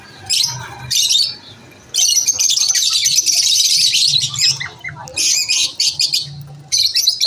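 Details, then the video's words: At lunch time, lovebirds give short squeaky chirp bursts, then a long steady stretch of shrill rapid chatter, followed by more clipped bursts. "Lovebirds chirping sound"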